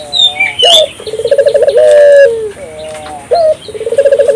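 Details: African collared dove calling actively to encourage other doves to join in. A high note, a fast rolling trill and a long drawn falling note, then another high note and trill. Light bird chirps in the background.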